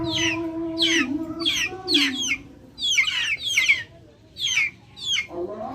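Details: Backyard chickens mix high, falling peeps with a low, wavering cluck at the start. Short silent gaps separate the later bursts of chirping.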